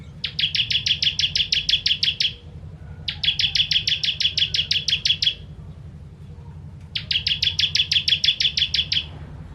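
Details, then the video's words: Bar-winged prinia, called ciblek kristal, singing tembakan bursts for tutoring contest birds: three evenly spaced volleys of a dozen or more rapid buzzy high-pitched notes, separated by short silences, over a faint low hum. "Ciblek Kristal Tembakan Pedas Cocok Untuk Masteran Burung"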